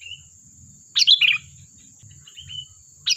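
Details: Lively song of a sooty-headed bulbul, intended to draw answers from other birds: one rich tumbling phrase of falling notes, a soft whistle before and after, over a low pulsing hum and a high whine.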